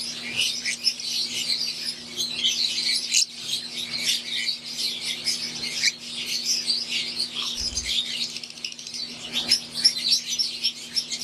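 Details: Wild-type green Fischer's lovebirds and Euwing lovebirds calling together in an aviary, an unbroken wash of scratchy high chirps from the flock, a short soft thump around the eighth second, steady low hum beneath.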